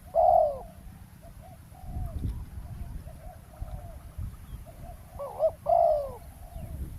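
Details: Spotted dove call during roadside ground trapping with a decoy: one loud hollow coo at the start, quiet murmuring and faint coos in between, then a wavering note and a long hoot near the end.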